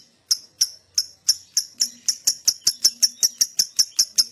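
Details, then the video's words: Lovebird calls used to coax other lovebirds into ngekek song: sharp, high, clipped chirps repeated steadily, speeding up from about three to four per second, with faint low hum behind. "Pancingan Love Bird Agar Cepat Ngekek"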